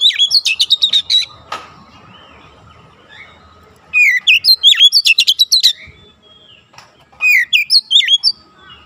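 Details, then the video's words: Oriental magpie-robin song used to train a young kacer for fast, dense 'nembak' delivery: repeated bursts of loud, rapid whistled and rattling notes, with brief quieter stretches between phrases. "TERAPI KACER BAHAN CEPAT NEMBAK RAPAT"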